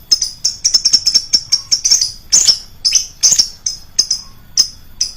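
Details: Lovebird lure call, loud and shrill: rapid high, sharp chirps in irregular bursts, some notes fast and clustered, others spaced about half a second apart, with brief buzzier squeals.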